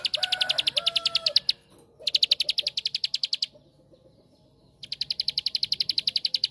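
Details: Ciblek sawah (bar-winged prinia) singing a 'tembakan' song to provoke other prinias: three bouts of fast, shrill, ticking trill with pauses between, plus a faint lower whistle at the start.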